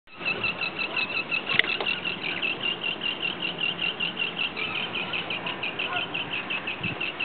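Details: Common terns during courtship feeding, the male bringing in a small fish, give rapid, harsh, high-pitched calls, several a second in a steady pulsing stream, with faint background noise.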